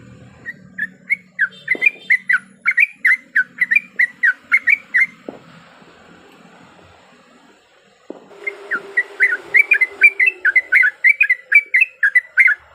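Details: Lure recording of a breeding-condition female yellow-vented bulbul calling a male: rapid chirping series, a pause of near silence with a couple of clicks, then another fast run of bright notes.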